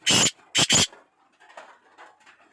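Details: Black francolin (kala teetar) calling: a loud, harsh, grating burst followed by a doubled rasping note, with faint background chatter afterward.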